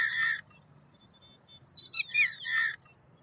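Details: Indian roller uttering two loud, coarse, scratchy calls about two seconds apart, with brief sharp chirps of another bird in the gap and a low steady hum behind.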